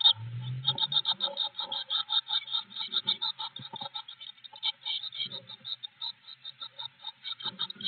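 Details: Blue tit at a nest box on 25 May 2021, captured by a wired camera inside the box: rapid, dense series of high, scratchy chirps repeated several times per second with little pause, plus soft low knocks and rustling from movement in the box.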